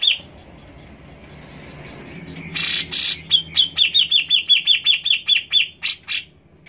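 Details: Grey-cheeked bulbul (Alophoixus bres) giving a fast run of bright, clipped notes, nearly three a second, after a few harsh rasping bursts and faint thin whistles.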